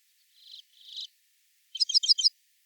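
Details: A redpoll in large woodlands in Wales in July, after the breeding season, gives its quiet trill: two soft buzzy notes, then a quick run of four sharp, high chattering notes, with no other sounds.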